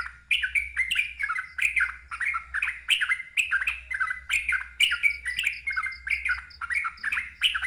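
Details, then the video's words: Yellow-vented bulbul singing loud, bubbly, gurgling phrases of mid-pitched notes, repeated rapidly with hardly a pause, over a low steady hum. "KICAU TRUCUKAN NGEROPEL KERAS SUARA NGALAS"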